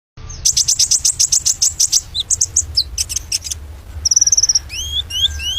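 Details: White-rumped shama song: rapid runs of high, sharp repeated notes, then quick trilled phrases and a series of clear, rising whistled slurs, over a steady low hum.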